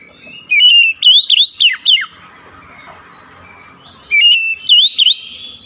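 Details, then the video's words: Oriental magpie-robin singing two bursts of loud, sweet whistles. Each burst bends sharply up and down, and a quiet twittering pause separates them. "DENGAN CEPAT NYAUT BALAS GACOR SEKALI MENDENGAR OCEHAN KACER INI"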